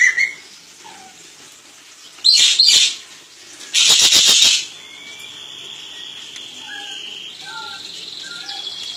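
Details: Crested jay on a training master recording: two dense rattling bursts close together, followed by faint scattered whistled notes and a steady high hiss in the background.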